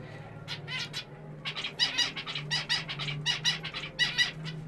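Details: A colony of small cage birds kept indoors in a former bathroom turned aviary chirps and twitters in quick, high bursts, several voices overlapping, over a steady low electrical hum; their owner finds it sounds like humming.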